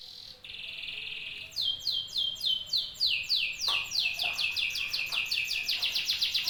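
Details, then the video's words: Domestic canary kept as a pet, singing: a steady high buzzy tone gives way to fast repeated falling whistles that speed into a rolling trill; a faint lower chirp joins midway. "The Canary Soloist: A Star Performer"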